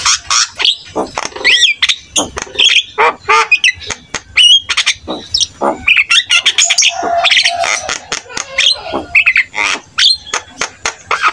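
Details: Jalak kebo (buffalo starling) singing vigorously to prompt other starlings to respond; dense stream of harsh squawks, sharp clicks and short whistled phrases without pause.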